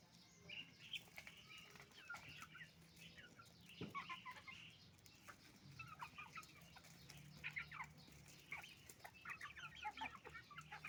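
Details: Roosters and hens at a chicken farm while eating rice: a busy chorus of short overlapping clucks and squawks from many birds, with pecking clicks and a steady low hum underneath.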